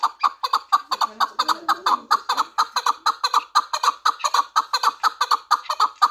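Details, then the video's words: Four-year-old Pamir chukar partridge, bred for fighting and hunting, producing a regular series of clucking chuck notes about two per second, loud and evenly paced, with a soft low sound near the start. "Кабки Помир"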